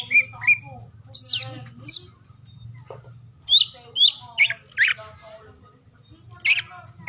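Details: Oriental magpie-robin song used to stimulate silent or lazy magpie-robins to sing, recorded across morning, midday and afternoon: varied loud whistles and sharp slurred notes in uneven bursts over a steady low hum.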